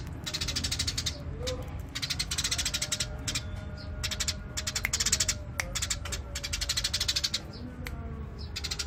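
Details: Eurasian tree sparrow, burung gereja, in full 'gacor' song: continuous bouts of rapid dry chirps repeated in quick rhythm, separated by brief breaks, over a noticeable low rumbling background.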